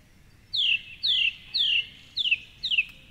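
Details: Song thrush in the predawn dark along the Curragheen River, Cork City, singing from a treetop during the dawn chorus; a loud descending whistled note repeated five times in quick succession, each slurring downward.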